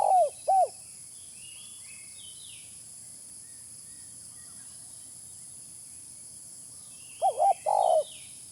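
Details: Spotted dove lure call: two low, hollow coos at the opening, then a long near-silent gap with faint high bird chirps, before a closing phrase of two quick coos and one longer, drawn-out coo.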